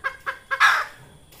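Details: Red junglefowl hen, call used for trapping lures: three quick clucks followed by a longer, harsh, descending squawk.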